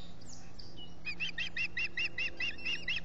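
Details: Ospreys at the Salt Point nest in the Finger Lakes, three birds at the nest in July, calling a fast run of about ten clipped whistled notes, each rising then falling, over a low hum.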